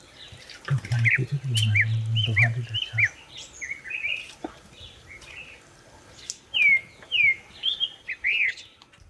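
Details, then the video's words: Black-breasted Thrush (Turdus dissimilis) in Karimganj, Assam, December 2023, calls in short, rising and falling whistled notes in quick phrases, with a low rumble like running water or an engine early on. "Black Breasted Thrush call"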